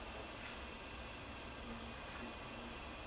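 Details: Black redstart feeding young in Lipník nad Bečvou, Czech Republic: thin, very high squeaky notes in a quick, slightly uneven series, several per second, over a faint low rumble.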